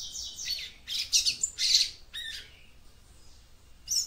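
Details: Rapid run of high, scratchy chirps from a female yellow-bellied seedeater calling to arouse the male, then a brief quiet stretch and one last sharp note.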